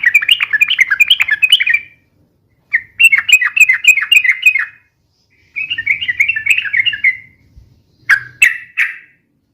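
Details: Sooty-headed bulbul singing long and rapid in the ropel style: three extended chattering, wavering phrases of around two seconds each, then two sharp separate notes; faint low hum in places.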